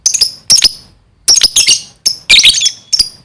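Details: Lovebird in full, lively song: dense, harsh, scratchy chirps in quick clusters, with a brief whistled tail note near the end.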